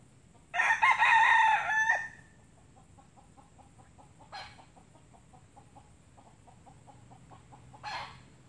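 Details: Red junglefowl in Sabah, captured as the fifth-teenth of a catch, gives one loud harsh crow lasting about one and a half seconds, followed by two short faint crowing bursts; soft regular ticking pulses and a steady high hum continue throughout.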